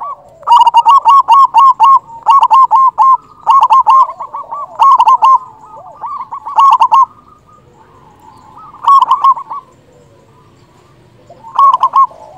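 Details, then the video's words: Local zebra dove with a big voice, used for trapping and to arouse other doves. Repeated bursts of fast, stuttering coo notes come in runs, then pause, with quieter dove cooing in the gaps. "Perkutut lokal gacor suara besar"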